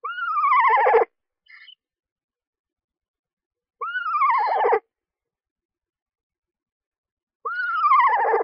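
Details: Screech owl at a backyard nest box during the season the mother feeds newly hatched owlets. A loud, descending, quavering whinny is repeated three times, each lasting about a second, with several seconds of silence between them.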